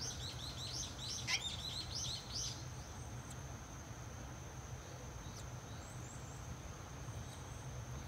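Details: Six swallow chicks, six days after hatching, in a nest by a countryside house entrance as parents return to feed them; a burst of rapid, high, overlapping chirps for about two and a half seconds, then quieter, over a steady thin whine and low hum.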